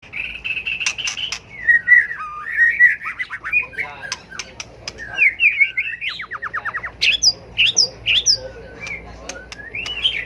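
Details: White-rumped shama giving fighting song used to stimulate and train birds: loud, varied whistled phrases with sliding notes, a fast descending trill run near the middle, then sharp high notes and clipped whistles, in a quiet setting.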